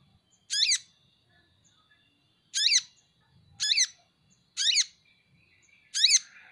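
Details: Van Hasselt's sunbird, a favoured caged songbird, uttering five harsh buzzy descending calls spaced one to two seconds apart in otherwise quiet surroundings.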